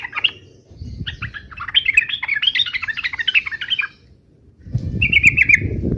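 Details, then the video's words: Yellow-vented bulbul giving 'uplik uplik' fighting song: a long, jumbled run of rapid chirps and warbles, a pause, then a short buzzy trill over low rumbling background noise. "trucukan gacor UPLIK UPLIK TARUNG"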